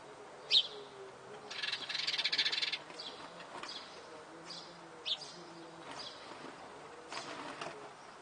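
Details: Sparrow siblings on a terrace, fed by their family and squabbling hard over food: a sharp chirp, then over a second of harsh buzzy begging, followed by scattered short chirps and buzzes.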